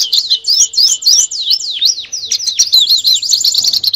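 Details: Canary song for training birds ahead of a national contest: a series of high notes sweeping downward, spaced a little apart, speeding up into a fast dense trill at the end.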